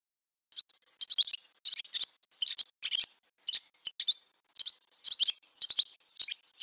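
A barn swallow twitters in quick bursts of high, scratchy chirps, several notes each, about two bursts a second with brief gaps; nothing else is heard.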